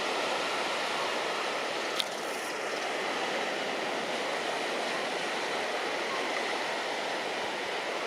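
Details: Steady broadband rumble like a passing train or vehicle, with one sharp click near the start and no animal voices.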